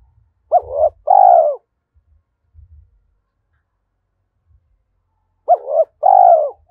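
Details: Stimulated decoy spotted dove singing 'giọng thổ' style coos: two identical phrases about five seconds apart, each a jerky double note and a long, soft, downward-curving coo, with low knocking sounds between.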